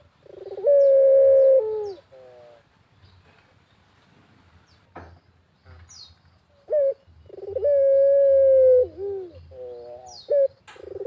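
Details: Barbary dove cooing vigorously in the countryside with natural ambience: a long steady low coo, a brief stepped series of shorter notes, a pause, then the pattern repeats.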